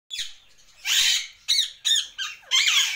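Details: Pet Indian ringneck parakeet giving harsh, raspy squawks: one long grating note followed by four shorter screechy bursts in about two seconds.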